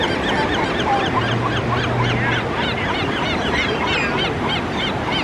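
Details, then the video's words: Seagulls at Malibu Beach on the Pacific Ocean, California. Many overlapping short, arched mewing cries from a crowd of gulls, heard over a steady roar of surf and wind. "Seagulls at Malibu Beach, Pacific Ocean, California"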